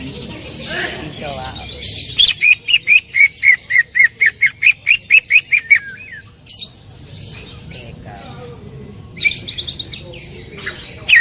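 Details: A greater green leafbird delivers a loud 'tembakan' volley of about fifteen evenly spaced, piercing whistled notes over roughly four seconds. Quieter scratchy chatter comes before and after, and a few strong notes return near the end.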